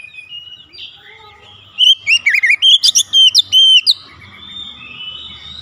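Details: Oriental magpie-robin, called kacer, delivering gacor-style song: quiet start, then around two seconds of rapid chirped and whistled notes, some sharp and clipped, before trailing into faint high whistles and low hum.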